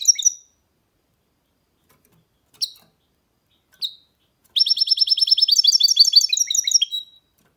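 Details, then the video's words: Singing goldfinch hybrid, a mule: a few separate sharp high chirps spaced apart, then a long rapid rattling trill of repeated notes shifting into twittering and closing on lower chips. "Goldfinch mule’s (hybrid) singing"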